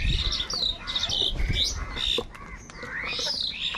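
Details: Angry crows fighting for food, giving a rapid tangle of hoarse, rising and falling caws from several birds at once, with some faint background voices.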